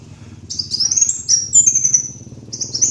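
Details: Master lure recording of kolibri wulung sunbird: a sweet, very high twittering run of rapid slurred notes, then a brief fresh phrase at the end, with a low hum underneath.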